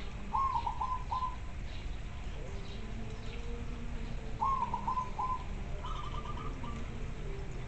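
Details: Local zebra dove (perkutut lokal) in full song, described as very clear: stuttering cooing phrases of rapid notes, heard three times, set against a steady low rumbling background.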